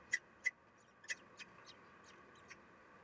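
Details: Common kestrel female feeding nestlings, 3 June 2021 morning; three loud clipped chirps followed by softer, fading notes.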